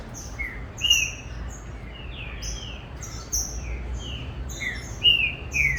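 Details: Captive green-winged saltator, a competition bird just starting to sing, at a Brazilian breeding facility: loud slurred downward whistles near the middle of its range, with a busy background of high, thin chirps from other birds and a low hum.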